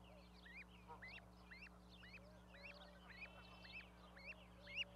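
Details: Goslings in an osprey nest in Charlo, Montana, 12 May 2020, the mother seldom rising off them. Several chicks peep together in overlapping, high rising notes, with a few lower soft calls and a steady electrical hum.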